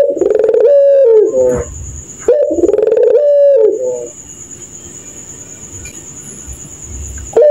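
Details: Two long, resonant, low coo phrases from a puter pelung dove at night, each starting with quick pulses and ending in a sliding fall, followed by several seconds of quiet hum and a steady high whine.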